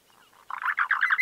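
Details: Chotoy Spinetail (Schoeniophylax phryganophilus) song: a harsh, dry chatter of a few faint notes, then a quick run of scratchy, churring syllables that grows louder and slightly higher.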